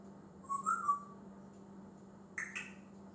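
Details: Male pet African grey parrot that learns words and mimics sounds produces a warbled, slightly wavering whistle, then near the end two sharp chirpy upward notes, with a faint steady indoor hum throughout.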